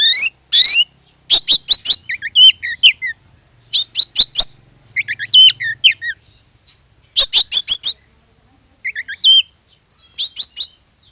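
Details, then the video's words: Oriental magpie-robin pouring out lure song to make others of its kind join in; dense, rapid sequences of harsh chirps and twisting whistles with a faint low hum underneath. "SUARA PANCINGAN KACER GACOR, BIKIN KACER YANG LAIN IKUT GACOR"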